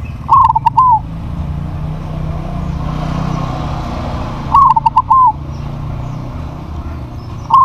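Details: Zebra dove of crossbred stock, noted for its big voice, gives a bubbly run of clipped notes closing on a longer coo. The phrase comes twice about four seconds apart, with a low hum between them.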